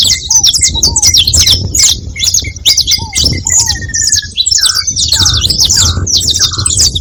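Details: Several saffron finches together keep up loud overlapping high chirps and buzzy notes, joined by mid-pitched short calls, a brief rattling trill and low falling whistles.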